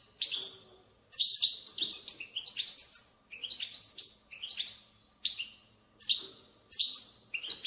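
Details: Bitbita-style song of a European goldfinch, meant to encourage goldfinches to sing. A lively run of clipped, bright chirps with sliding tails comes in rapid bursts about every half second to second.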